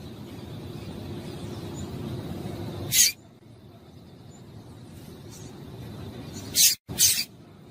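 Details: Female Double-collared seedeater calling to stimulate a male to sing: a sharp, high chip near three seconds, then a quick pair of similar chips near the end, over a steady low hum.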